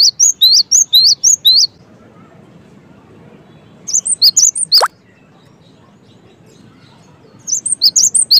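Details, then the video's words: Cinereous tit in full song: short bursts of high, sharp two-part notes repeated about twice a second, broken by quiet pauses, with one fast downward-sweeping note near the middle. "suara GELATIK BATU gaCoR"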